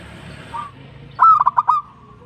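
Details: Local zebra dove giving a brisk coo phrase: a rising opening note and then four quick pulsed notes near one pitch, about half a second long, with a faint softer coo before it.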